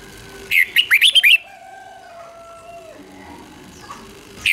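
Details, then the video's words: Red-whiskered bulbul song in the 'double' style for young birds to learn: one brief burst of fast, bright chirps, followed by long steady drawn-out tones and a quiet stretch. "เสียงนกกรงหัวจุกเบิ้ล2 ก๊อปติดง่ายสายปั่นลูกนกไม่ควรพลาด"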